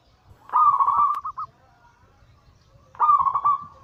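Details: Zebra dove 'anggungan' song meant to excite other doves into calling: two loud rolling coo phrases, the first ending in two short notes, separated by about a second of quiet.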